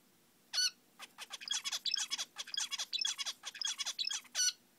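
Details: Pet male zebra finch, caged and nesting, singing a rapid run of short harmonic notes, nasal honk-like calls opening and closing, with buzzy chattering syllables between, broadband and bright, against a quiet background.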